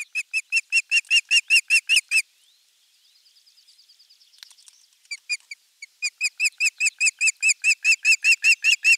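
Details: Osprey calling at a nest-camera site on the morning of 23 June 2020, when a crucian carp of about half a kilo is brought. A rapid, even run of piercing whistled notes breaks into faint high chirps, then resumes and builds.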